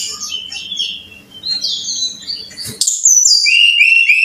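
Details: Varied high whistles and slurred warbles from a brown-chested jungle flycatcher, played to coax caged birds into singing. A brief knock is followed by a bright series of rapid, downward-slurring whistled notes that are repeated several times.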